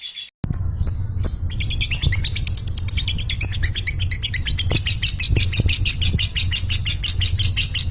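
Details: Lovebird's ngekek while dozing off: a few sharp opening notes, then a quick, rattling series of high, metallic chirps over a steady low hum.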